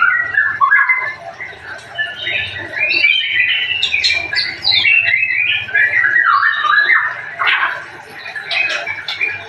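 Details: White-rumped shama singing a long, rich, varied song of quick whistled notes and slurred phrases that rise and fall rapidly, delivered in near-continuous bursts with short pauses, over a faint low background hum.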